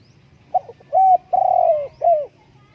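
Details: Cooing spotted dove: faint short lead-in notes followed by three loud, rounded coos, the middle one long and gently descending, with a low steady hum in the background.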